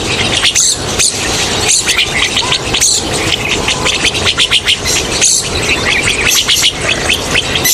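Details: Rosy starlings (Pastor roseus) chatter without pause as a large flock would: harsh, buzzy, squealing notes and rapid scratchy bursts overlap.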